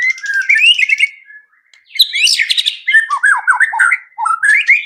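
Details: White-rumped shama song used as a lure to prompt other birds to sing quickly and show their repertoire: rising whistled phrases, a short pause, then bursts of varied chirps and sweeping notes in quick succession.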